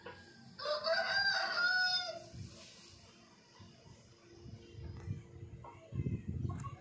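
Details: Pet ring-necked parakeet uttering a rich, harmonic, warbling burst of talking-like sounds for about a second and a half, then fading into quieter shuffling and low thumps.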